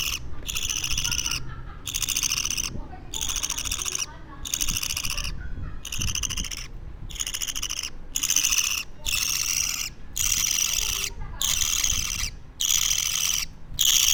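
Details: Hand-kept two-week-old budgie chick repeating a scratchy, buzzy rasp nearly once a second in slightly uneven bursts, with quiet indoor background noise.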